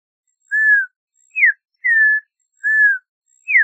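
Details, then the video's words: Audubon's oriole delivering pure, sweet whistles: long gently falling notes alternating with quick steep downslurs, about five notes in under four seconds, with nothing else heard. "Audubon's Oriole Song! Audubon's Oriole Call! - Turpial Amarillento Canto - Icterus Graduacauda"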